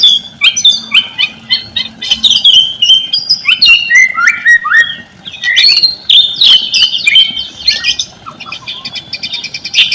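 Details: Varied white-rumped shama song used as a lure for shamas reluctant to sing: a continuous string of clear whistles, downward slurs and sharp chips, ending in a fast rattling trill.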